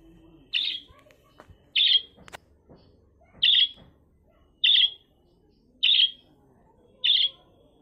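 A magpie gives six harsh, rasping calls, each a short scratchy burst, spaced a little over a second apart against a quiet background.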